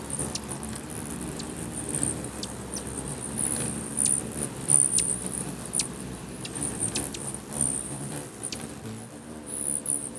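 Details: At a busy feeder in Bigfork, Montana, many hummingbirds chase each other, giving scattered high, tinny chirps and clicking ticks against a continuous low wing whir.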